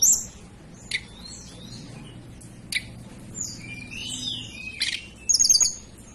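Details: {'caption': 'Hill blue flycatcher, a local Banten and West Java mountain bird, heard with scattered high whistled notes and short slurred phrases, fairly soft, ending in a brighter burst of sharp notes.'}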